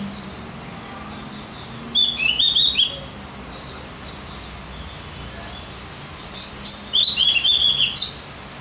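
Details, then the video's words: Two bursts of quick, high twittering warble from a Javan grey-throated white-eye, each under a second, separated by a pause of several seconds; played to make other birds more excited. "Masteran buat burung OPIOR JAWA agar tambah emosi"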